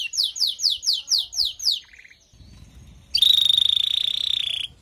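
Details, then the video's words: Female canary calling to prepare and stimulate a male after moulting: a rapid series of descending high whistled notes, a brief buzzy trill, then a long, even, high rattling roll. "نداء انثى الكناري لتجهيز وتحفيز ذكر الكناري بعد غيار الريش"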